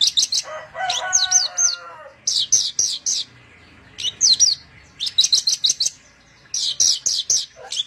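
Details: Javan bush lark, branjangan, giving its rolling song in clustered bursts of sharp high chirps separated by short silences, one burst mixed with lower whistled, mimic-like notes.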